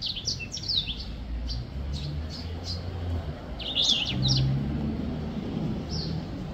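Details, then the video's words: Black-throated finch singing: a run of thin, high, quick chirps and short whistled notes in loose bursts, pausing midway then resuming, over a steady low rumble of background noise. "Black throat finch singing / 黑喉燕歌唱"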